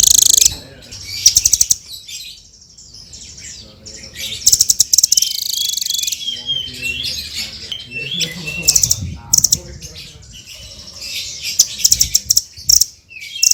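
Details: Blue-crowned hanging parrot in lively song, mixing rapid clicking bursts, thin wavering whistles and short high chirps in irregular clusters, with a faint low murmur behind.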